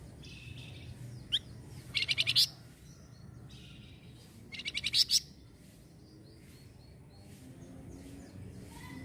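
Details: Flamboyan bird, said to answer at once whenever noisy sounds occur, giving two loud, rapid, buzzy rattling bursts about three seconds apart, with softer twittering between and a low background rumble.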